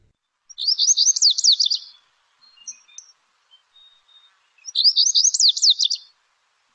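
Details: Lazuli bunting song from the Lake Tahoe area, the phrase seeming to end in a "yuli": two bright, hurried phrases of sweeping high notes about four seconds apart, each roughly one and a half seconds long, with faint soft notes between.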